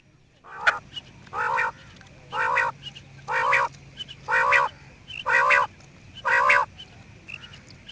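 A quail gives seven short, nasal, harmonic calls, about one per second in a steady series, over a faint low hum.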